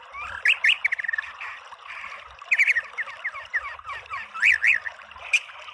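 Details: White-rumped shama in loud gacor song, mixing varied phrases: slurred whistles, chattering notes and rising and falling buzzy strokes in uneven bursts, with quieter gaps between them.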